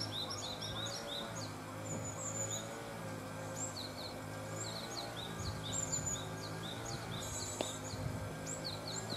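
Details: After fledging from a nest box, Japanese tits give a busy stream of quick, high, sharp chirps, many overlapping, with one buzzy burst near the end and a steady low hum throughout.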